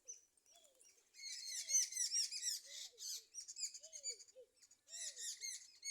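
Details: Several sparrows in the morning: dense, overlapping high chirps in a busy chattering chorus of short notes with brief pauses; faint low whistled notes underneath.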